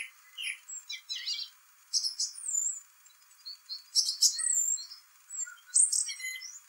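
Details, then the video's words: Song thrush in spring singing its complicated song: varied bursts of high whistles, trills and sharp chirps, each phrase different, loud notes spaced by short pauses, no low sounds. "Song thrush sings spring birdsong"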